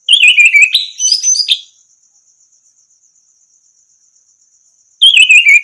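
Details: Orange-headed thrush song, played as a training song to get silent birds singing again: a burst of rich whistled, warbling notes sliding downward, a long pause over a steady high thin hiss, then the phrase starts again.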